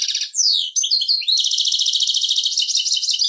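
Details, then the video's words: Caged European goldfinch singing loudly: a downward slurred whistle and quick varied chirps lead into a sustained, fast, buzzy rattling trill, all high-pitched. "best Goldfinch singing , le plus beau chant de chardonneret"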